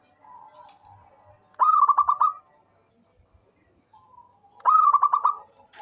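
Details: Zebra dove of a local strain, a persistent caller used to draw out other doves, delivers two bursts of quick bubbling coos three seconds apart, each preceded by softer murmured notes.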